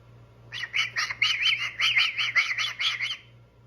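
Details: Pet male cockatoo warming up his vocals: a quick run of about twelve short, bright chirping notes, evenly paced and similar in pitch, over a low steady hum in the room.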